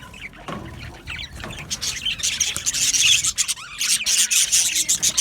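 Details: Budgerigar chirping meant to comfort lonely birds: quiet scattered notes, then from the middle a louder run of fast, raspy, buzzy pulses mixed with high chirps.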